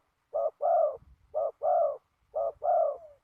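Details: Spotted dove used in ground decoy trapping on a very windy day, giving three paired coos, a short note then a longer rounded coo, repeated about once a second, with faint low rustling underneath.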